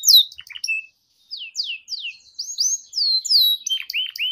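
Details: Canary song used to tutor young canaries learning to sing: scattered high chirps, then a run of descending whistled slurs and short rising notes, with brief pauses.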